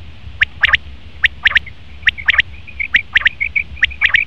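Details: Male common quail calling: sharp, clipped three-note phrases, quick and liquid, repeated roughly every second, with short soft trilling notes between phrases over a low steady hum.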